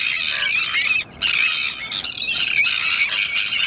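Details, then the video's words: Sandwich terns at a breeding colony at Salins d'Hyères near the end of the breeding season, first chicks about to fledge, give harsh, grating overlapping squawks in a near-continuous chorus with a brief lull partway through. "Sterne caugek"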